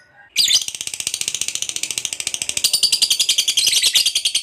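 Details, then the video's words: Gacor lovebird delivering ngekek panjang, the long chatter used to rouse other lovebirds to reply: a sudden start into a continuous, very rapid, buzzy, shrill trill of dense high pulses that grows louder toward the end, recorded indoors. "KICAU LOVEBIRD GACOR NGEKEK PANJANG"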